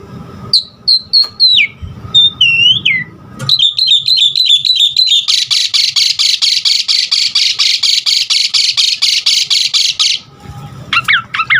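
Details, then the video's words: Asian pied starling song used to train caged birds to sing: varied whistles and falling slurred notes, then a long run of rapid repeated chattering notes for about five seconds, ending in short rising whistles. "Pancingan Jalak Suren GACOR Isian Variasi Suara Burung"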